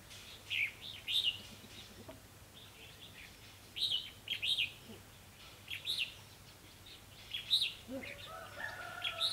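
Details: Red-whiskered bulbuls during a trapping session on 28 October 2016, a decoy bird in use: loud, clear chirpy whistled phrases in clusters every couple of seconds, with fainter birds calling behind.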